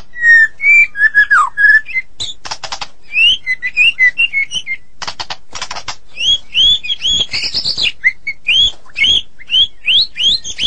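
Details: Vigorous 'gacor' singing by a Medan White-rumped shama: sweet whistled notes, dry rattling bursts, and a run of bright rising whistles repeated about three times per second.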